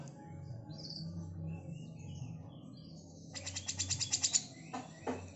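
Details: Female grey-cheeked bulbul giving its besetan call, recorded as a master for training magpie-robins; after a quiet stretch with low background hum, a fast buzzy rattle of about ten sharp pulses bursts out, then two further harsh notes.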